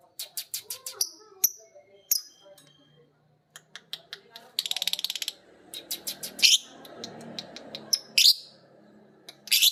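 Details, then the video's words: Violet green and pied lovebirds picking up ngekek from one another as the master sings: rapid runs of high chirps, a stretch of fast buzzy pulsed chatter, and loud harsh squawks, with faint background murmur. "Burung Lovebird biola green vs Lovebird PB Piet❗saling belajar ngekek denger masternya bunyi."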